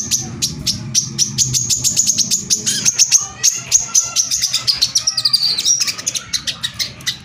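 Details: Brown-throated sunbird (korlap) in the rapid 'tembakan rapat' lure song that provokes other sunbirds: a long, tight series of very high, clipped chirps, several per second, with thin, wavering whistles toward the end and a low hum early on.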